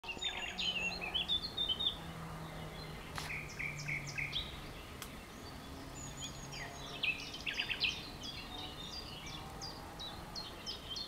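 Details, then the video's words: Several wild songbirds singing on 30 April 2011 in a grove behind an ecological garden in Romania, in spring: high chirps, whistled phrases and rapid trills from overlapping singers, with a faint low hum beneath. "Birds singing on 30april 2011 on Romanian garden"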